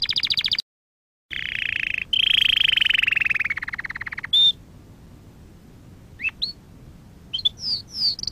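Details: Training song for canaries: a short high trill, a gap, then a long rolling trill falling slowly in pitch, followed by scattered clear whistles and upward-swept notes with quiet pauses between.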